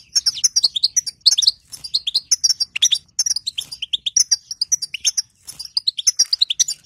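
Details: Batbata of a female European goldfinch, meant to coax a quiet goldfinch into singing: long run of rapid, liquid twittering notes, some sliding downward, in dense clusters broken by brief gaps.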